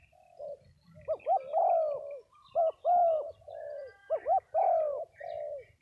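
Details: Cooing spotted doves at a gathering in Đồng Tháp, Vietnam: short upswept notes lead into drawn-out soft hoots, phrases spaced by brief pauses, in a fairly quiet setting.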